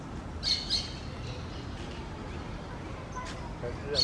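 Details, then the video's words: An outcast green parakeet tries to reach a flock. Two sharp, scratchy, high-pitched squawks come in quick succession, then a pause with faint background sounds, then another harsh squawk at the end. "PERICOS VERDES un desterrado intentando comunicarse con una pardada"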